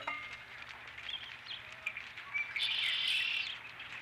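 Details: Osprey on the nest with a fish, 12 April 2017: faint scattered chirps build into a single loud burst of harsh, high squealing near the end, above a steady low hum.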